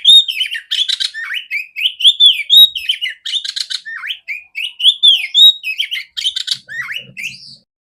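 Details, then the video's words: Female oriental magpie-robin kept for training other magpie-robins, singing a loud, clear, continuous run of whistled phrases, slurred notes and scratchy bursts, rising and falling with barely a pause. "Terapi burung kacer betina suara besar jernih kacer jantan"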